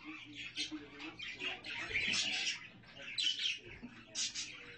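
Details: Budgerigars alongside their chicks chatter steadily, a rapid mix of scratchy twitters and thin high chirps that swells in the middle and fades into scattered calls.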